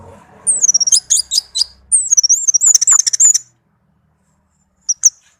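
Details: Melodious song from a tame pet orange-headed thrush: two long phrases of high, wavering, twittering whistles interspersed with sharp clicks, then silence and one brief high note.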